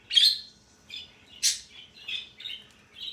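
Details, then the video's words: Male parrot giving the sound it has been making for a long time today: a loud harsh squawk, a bright rasping burst, then several short high chirps in quick succession. "it’s too long he is making this sound today"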